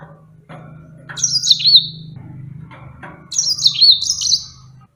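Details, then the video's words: Yellow-fronted canary (burung mozambik) kept as a pet bird: two bright, high twittering phrases that slide downward into a trilled ending, about two seconds apart, over a steady low electrical hum. "Enchanting Sounds Tropical Bird Calls to Relax finch Serinus mozambicus"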